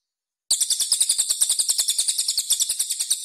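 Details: Cililin (Velvet-fronted Nuthatch) master recording for training competition birds: after a brief silence a continuous rough, high-pitched chatter starts, with rapid harsh notes pulsing about seven times a second.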